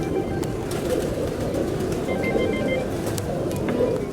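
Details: A huge flock of white pigeons living at the Blue Mosque in Mazar-i-Sharif, Afghanistan, makes a dense, continuous murmur of low, throaty, overlapping coos, with a few faint higher chirps above.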